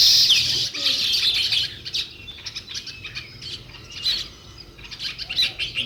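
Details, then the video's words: Sparrows calling outdoors, opening with a loud tangle of high tweets, then settling into irregular short chirps repeated several times a second. "Natural Sparrow View and Sounds | Chirping Sounds"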